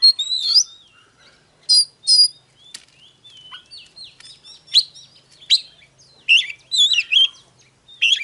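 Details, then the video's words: Oriental magpie-robin song, used to provoke birds into singing and fighting: varied whistles and clear sharp notes, some paired, in an uneven and lively sequence. "Chòe than HÓT"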